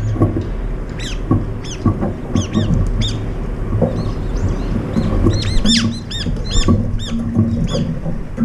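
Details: Brown-eared bulbuls crowd together to feed, with occasional pecking and fights. Short arched squeaky notes repeat irregularly, then cluster densely near the end, over a constant low hum.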